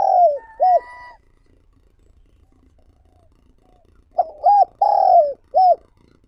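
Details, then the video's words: Decoy spotted dove cooing to draw in wild doves: two rounded coos, a silent gap of about three seconds, then a faster series of four fuller, arched coos. "Chim Cu Gáy Mồi Gáy Gọi Thúc Kích Bổi Mới"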